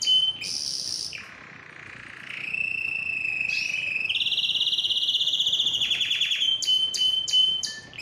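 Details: Singing canary to stimulate song and mating. A varied strophe: high chips, a low buzzy note, a steady whistled roll rising a step into a fast trill, then crisp repeated clicks and a brief whistle.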